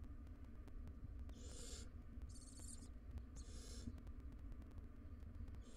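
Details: Barn owl family in a nest box, wild adults and three young. Three short, rough hissing screeches follow one another about a second apart in the middle of the clip, over a faint continuous hum.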